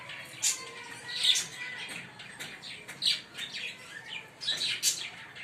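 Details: Two green Fischer's lovebirds give shrill, high chirps in short bursts about every second or so, with squeaky, slightly rasping notes and brief pauses between them.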